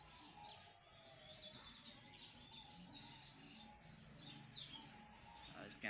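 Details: Double-collared seedeater in lively song: dense run of high, sharp chirps and fast twittering phrases with downward-sliding notes, nearly continuous for six seconds, with a faint steady hum beneath.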